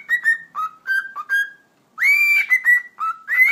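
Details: Pet cockatiel at home, described as talking, repeating the phrase "eşek sıpası", then whistling: a run of clear, harmonic-rich whistled notes stepping between mid and higher pitches, with a short pause before a longer rising-then-level whistle.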